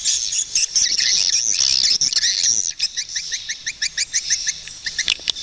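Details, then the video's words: High, continuous swiftlet twittering that breaks into a quick series of short chirped notes, about three per second, toward the end. "Swiftlet bird sound"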